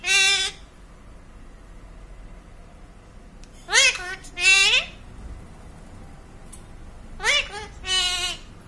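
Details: Parrot mimicking the Sikh phrase "Waheguru Ji": short, harmonically rich, voice-like bursts with bending pitch, given in close pairs separated by quiet pauses of about three seconds, indoors.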